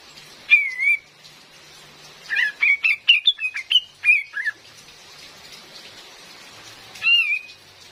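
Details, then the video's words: Female cream-vented bulbul, used as a lure for trapping in forest: a wavering whistled note, then a cluster of about eight short slurred notes, and one more whistle near the end over steady hiss, possibly rain. "SUARA ASLI KAPAS TEMBAK BETINA"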